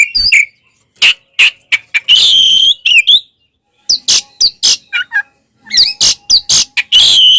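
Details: Fighting oriental magpie-robin, tail opened, its song meant to agitate rival birds: sharp chips and short whistles spaced irregularly, a harsh buzzy stretch near two seconds, then more clipped notes and a final buzzy rattle.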